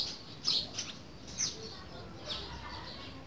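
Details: Green-winged saltator giving its classic "boiadeiro" song, used for teaching young birds: a few short, bright whistled notes spaced irregularly about a second apart, over a soft background hiss.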